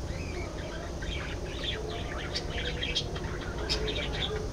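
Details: Budgerigars chatter in a continuous, busy warble of quick scratchy notes, with a few sharp high clicks scattered through it and a constant low hum behind.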